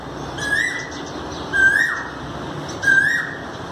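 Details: Asian koel, recorded 5 May 2019, giving three short rising whistled notes about a second apart, with fainter high chirps from other small birds behind.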